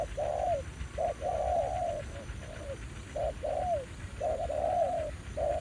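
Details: Spotted dove cooing during decoy trapping at a site revisited after more than a year, a new wild bird responding aggressively; mellow low coos, a short note followed by a longer slurred coo that falls at the end, repeated steadily.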